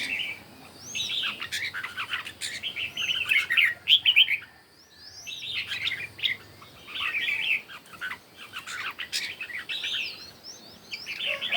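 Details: Red-whiskered bulbuls singing against each other one morning, with rapid, bubbly warbled phrases in repeated bursts and a short pause near the middle.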